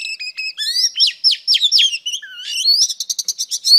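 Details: Female Oriental Magpie Robin, song used to stimulate males: quick clear whistled notes, rising and falling slurs, and one low dipping whistle, ending in a fast, evenly spaced series of sharp chirps.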